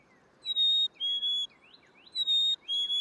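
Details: Black-capped Chickadee giving its spring song, a clear whistled fee-bee, a higher note dropping to a slightly lower one, given twice. Faint chirps from other birds sound underneath.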